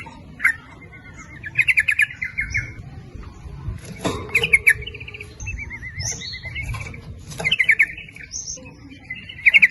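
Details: Lively yellow-vented bulbul lure meant to call males and females, 'nguplik ropel' style: gurgling note clusters alternating with a wavy warbled whistle, plus thin high chirps of other birds in the background.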